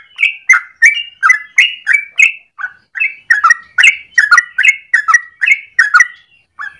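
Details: Yellow-vented bulbul singing energetically in the morning, a lure or master recording for training birds. Crisp, chirpy whistled notes repeat quickly, around three per second, with slurred two-part phrases mixed in.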